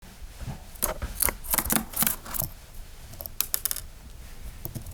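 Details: A pet Java sparrow gives a run of dry, sharp clicking notes in irregular bursts, like small taps and snips, in a quiet indoor room.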